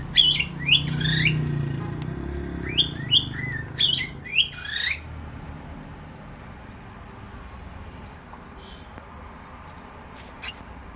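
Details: Cockatiel giving loud, grating rising squawks in irregular pairs during the first half, over a low rumble, then mostly quiet room noise with one faint note near the end.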